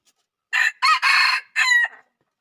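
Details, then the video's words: Red junglefowl crowing: a harsh, raspy crow of four short bursts over about one and a half seconds, the last syllable cut off abruptly. The background is otherwise silent. "Suab lau qaib qus qua zoo heev"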